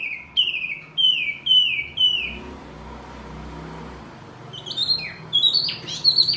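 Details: Birdsong recorded as masteran for caged songbirds; four loud falling whistles about every half second, a pause filled with low rumbling noise, then high rising and chattering notes.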